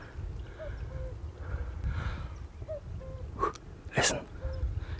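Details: A distant common cuckoo on a highland mountainside, near stones where it was seen landing, gives its soft two-note 'cu-coo', falling in pitch, twice about three seconds apart, over steady low wind rumble and a couple of close handling knocks.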